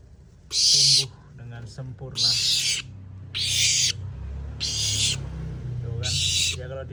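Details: Tame young barn owl, healthy with growing wing feathers, offered food by hand; five strong, breathy screeching hisses in quick succession, about one per second and a half, with a man speaking between them and background hum.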